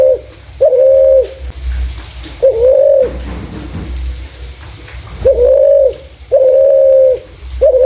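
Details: Spotted dove giving clear calls used to lure other doves: low hollow coos come in uneven bursts, with a longer gap midway and faint high ticking throughout.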